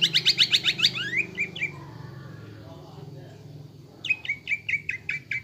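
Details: Greater green leafbird lure song for stirring caged birds into a fighting mood: a rapid burst of high, pulsing chips, a short descending flourish, a pause with background hum, then a fast repeated series of bright notes.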